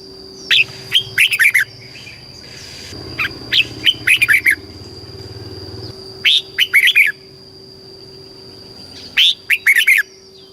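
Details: Red-whiskered bulbul song in the southern master style from Thailand, played to stimulate caged birds and teach young birds. Three short bubbly whistled phrases of four to six notes come every three to four seconds, with a steady electrical tone and a passing low rumble.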